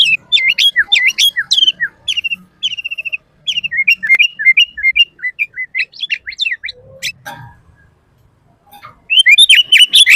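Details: Sooty-headed bulbul song used for training and luring bulbuls: chirped and whistled notes falling and rising in a varied sequence, a quiet pause with a brief noisy sound, then renewed chirping.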